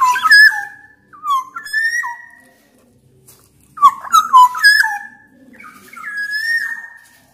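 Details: Loud, persistent black-naped oriole song from a Sumbawa kepodang, played to coax quiet orioles into singing: rich liquid whistles with quick upward and downward slurs in three phrase groups, the last a long level whistle.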